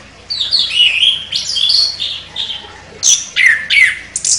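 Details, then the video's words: A champion chestnut-capped thrush sings with sharp attack. Mixed whistles and squeaky notes run in quick phrases, then strident, descending slurred notes come in separate loud bursts. "ANIS KEMBANG JUARA NEMBAK TAJAM"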